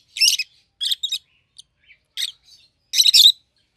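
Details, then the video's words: Two pet rosy-faced lovebirds, a yellow bird and a green bird with red heads, give sharp, rasping squawks in clusters of two or three, separated by faint chirps and brief pauses. "Lovebird's Sounds - Lemon & Melon - Rosy-faced Lovebird"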